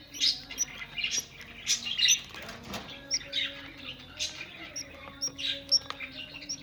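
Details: Budgerigars kept for breeding: many overlapping chirps and short warbled notes from several birds, with sharp high squeaks scattered throughout, over a steady low hum.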